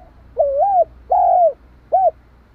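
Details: A spotted dove kept as a decoy, calling to stimulate another dove: a single loud phrase of a rolling coo, a sustained sliding coo and a brief closing note, with faint low background hum.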